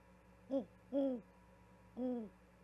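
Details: Owl bringing a vole to its mate at an osprey nest in Charlo, Montana, 13 February 2022, calling until she responds; filmed by live nest camera. Three deep hoots: a short one, then two longer, evenly held hoots after a pause.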